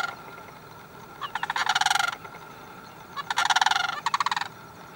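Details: Sandhill cranes calling in harsh, rolling rattled bugles, one burst near the start and a longer doubled burst later, each made of rapid pulses over a quiet background.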